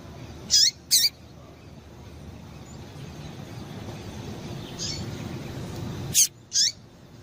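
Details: Female Double-collared Seedeater call, used to stimulate males to sing: short, high, sharp chirps in pairs about half a second apart, with a long pause between pairs, over a low background hum.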